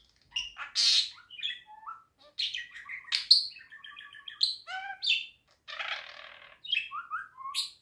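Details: Budgerigar song as a jumble of bright chirps, buzzy notes and short rising and falling whistles, broken by brief pauses, with no other sounds.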